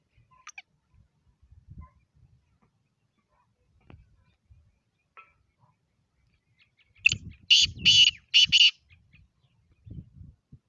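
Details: Black francolin calling a loud, grating burst of four harsh notes in quick succession, preceded and followed by quiet low knocks and rustles.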